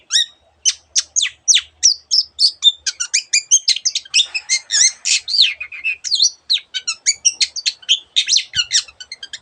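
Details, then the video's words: A singing cendet, or Long-tailed shrike, delivers a continuous, rapidly changing medley of other birds' notes: sharp clicks, twittered phrases and chattering trills, almost without pause, in a quiet setting. "cendet gacor masteran untuk burung yang susah bunyi banyak varian suara burung lainya"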